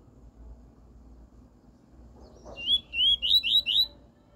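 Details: Double-collared seedeater, pure "tui tui" song used for tutoring a young bird: a short run of five rising whistled notes near the end, loud and clean over a low steady hum.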